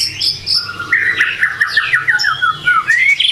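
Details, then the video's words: White-rumped shama, morning lure song for kept birds, with a continuous warbled run of whistled, sliding notes, rich and varied, over a faint low hum. "PANCINGAN PAGI HARI CEPAT NGEPLONG"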